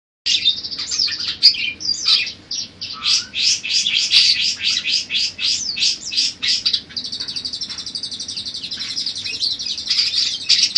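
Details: Budgerigar warbling song, one of several variations for tutoring other songbirds: a continuous high chatter of mixed chirps, squeaks and buzzy stretches with an uneven rhythm.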